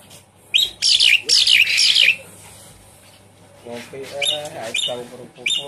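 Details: Javan pied starling, a caged bird, played as a lure to start a silent bird singing: a burst of harsh, buzzy notes sliding down, then lower nasal, harmonic chattering notes.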